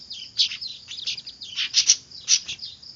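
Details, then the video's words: Weaver (manyar) nestlings calling noisily, used as a lure: rapid, harsh, buzzy chirps tumbling together in dense clusters over three seconds, loud and insistent. "Suara anakan burung manyar ribut cocok buat pikat"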